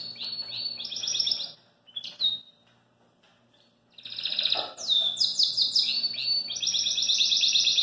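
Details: Belgian canary singing outside its cage, giving varied phrases of rapid high trills and slurred whistles, a pause of about two seconds, then louder trilled and rolling phrases.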